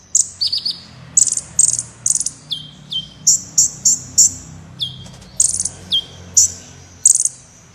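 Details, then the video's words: Black Sunbird (kolibri wulung) singing energetically, a recording meant for tutoring competition birds: a rapid series of very high sharp chips and short down-slurred whistles, nearly continuous, over a faint low hum. "Suara Burung Kolibri Gacor Berprestasi (Kolibri Wulung)"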